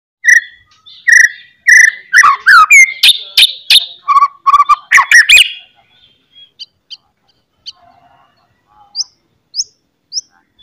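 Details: White-rumped shama in strong full song, meant to provoke other shamas into singing: loud whistled phrases and harsh rattling chatter for six seconds, then a few sparse high notes.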